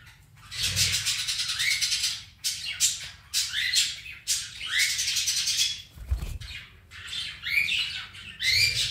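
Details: Two pet cockatiels squabbling, one bird picking on another: repeated harsh screeching bursts, each ending in a short rising whistled note, separated by brief gaps, with a low thump of wings or movement.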